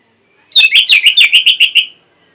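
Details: Orange-headed thrush song for training caged birds: a quick series of about nine clear, slightly slurred whistled notes of even pitch, delivered at a brisk steady pace and ending abruptly.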